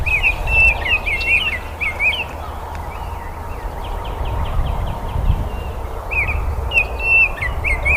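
Baltimore oriole singing short, clear whistled phrases that slur up and down, repeated with pauses, over a steady low rumble of background noise.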